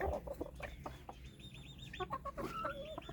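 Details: White Silkie chickens at a Pakistani bird farm: a busy mix of low clucks and thin, high chick-like peeps, some wavering, overlapping through the clip.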